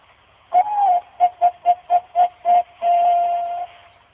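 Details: Legendary zebra dove, ringed in Thailand and famous across Indonesia in 2008 and 2009, gives one full song phrase. A curved first coo leads into seven short, evenly spaced soft notes, then one long level note fading out.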